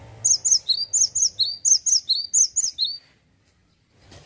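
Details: Male gelatik batu, the cinereous tit, in ngeplonk song: about six fast, ringing high-low whistled couplets, then a sudden silence broken by a faint knock.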